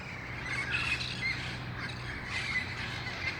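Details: In El Cajon on August 1, 2018, wild red-faced parrots gather at dusk before moving to nearby roost trees; brief harsh squawks, some with a thin whistled edge, sound in clusters over a soft low hum.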